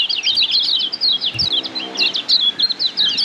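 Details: Tutor song of the kecial kuning white-eye from Lombok for training caged birds: an unbroken chatter of high, quick up-and-down chirps, bright and tightly packed, with a soft low knock near the middle.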